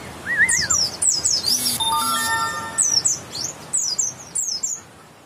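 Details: White-eye of West Java with grey-white breast and yellow line, singing quick high slurred chirps and a brief lower whistled trill, with a steady electronic tone sounding briefly mid-phrase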